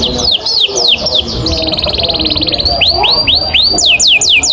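A canary sings a bright, high song: rapid downward-sweeping whistles, then a long fast trill or roll, then more repeated sweeping notes, over a faint background hum.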